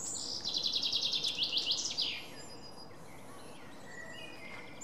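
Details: Long-tailed tit, recorded on 5 May 2019: a rapid run of short, high, buzzy notes repeated about three times a second for nearly two seconds, then a few faint thin high calls against steady low background noise.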